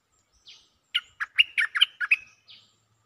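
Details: A single lively phrase from a Cream-vented bulbul seeking a mate: about seven rapid, rich chirping notes, framed by soft buzzy notes before and after.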